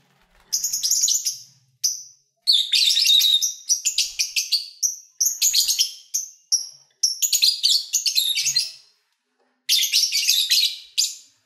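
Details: Pet lovebirds, recorded in February while eating, singing and playing, give dense bursts of harsh, high chattering chirps in rapid runs, broken by short pauses and a few thin, clean whistled notes.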